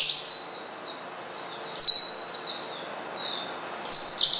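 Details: Oriental white-eye calling to provoke a rival: thin, drawn-out high whistles and a few sharp chirp clusters, softer and sparser than a full burst, over faint background hiss.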